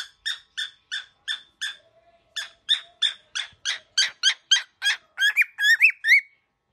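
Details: Very angry young cockatiel giving evenly spaced harsh, buzzy calls about three per second, a short pause, then a faster stream that turns into rising and falling whistled notes at the end.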